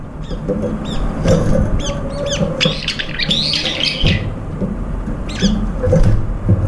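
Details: Brown-eared bulbuls, several birds gathered at food and competing for it, one lame in its left foot, give a rapid run of loud, shrill squealing calls that overlap and peak midway, over low rumbling background noise.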